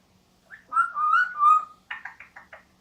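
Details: Male vosmaeri eclectus parrot, about two years old, kept indoors and flying free in a living room, talking and making funny sounds: a drawn-out wavering whistle-like phrase, then four short, harsh, rasping notes in quick succession.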